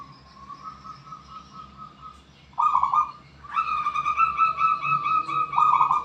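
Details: Wild zebra dove from Borneo singing a long run of quick, pulsing coos on a steady pitch. A fainter rippling phrase comes first, then louder, stronger phrases. A low hum sits underneath.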